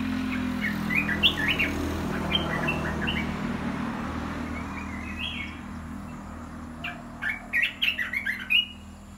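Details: Red-whiskered bulbuls kept as cage birds, a blend of 'dok taeng' and 'ta daeng' types, utter quick chirpy whistled notes early and a cluster of sharper phrases near the end over a steady low hum.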